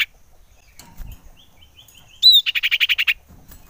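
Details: Common iora lure call for rousing other ioras. Faint soft whistles give way to a loud upswept note, then a quick run of about ten pulsed chirps.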